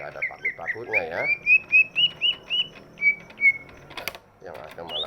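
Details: Big-bodied greater green leafbird whose voice serves to stir quiet birds into singing; a short series of evenly spaced whistled chirps, then two longer level whistles, with a brief human voice before the chirps and faint background noise.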